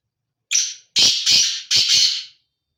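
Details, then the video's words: Breeding call of a male black francolin, a brief rasping introductory note followed by two loud, buzzy, grating paired notes, the whole phrase lasting under two seconds in a quiet setting. "کالا تیتر کی آواز"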